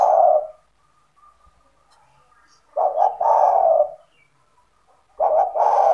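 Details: Owner's spotted dove in full voice, calling to attract other doves: the tail of one coo, then two stuttering, throaty phrases with clipped introductory notes and a sustained low coo, with quiet background gaps between.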